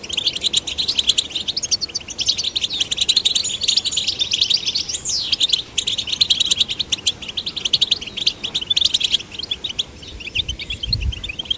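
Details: Singing goldfinch chicks, male and female, being encouraged: a continuous torrent of high twittering with a distinct rising-falling whistled slur midway and a soft low bump near the close.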